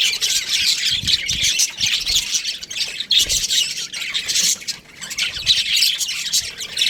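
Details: Dense, high twittering and squawking from young budgerigars in an aviary, continuous overlapping notes with a short quieter dip near the end and faint low bumps.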